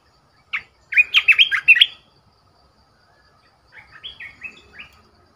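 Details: Red-whiskered bulbul decoy bird in a cage giving a loud rapid run of chirpy whistled notes, then after a pause a softer phrase of four or five sliding, rising whistles.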